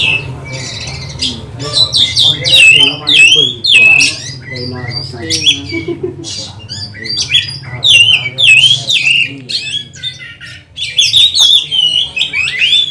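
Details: Oriental magpie-robin singing loudly and persistently as a lure to train and provoke other magpie-robins during lockdown; varied whistled phrases and harsh squawks in dense bursts, with sharp slurred notes repeating about every second and a low hum beneath.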